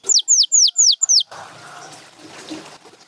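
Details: Brief canary phrase: five bright, sharply downslurred whistles about a quarter second apart, followed by low, hissing background noise with the bird silent.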